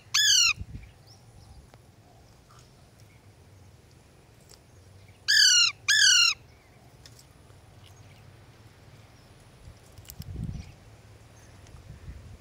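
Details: Pet ringneck and Alexandrine parakeets: three loud, harsh squawks, one at the start and a close pair about five seconds later, with quiet low hum in between.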